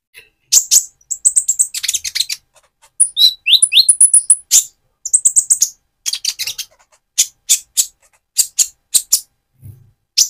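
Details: Van Hasselt's sunbird in speckled plumage, singing vigorously to stimulate another bird: rapid strings of high, sharp chips and short trills, then evenly spaced single chips toward the end.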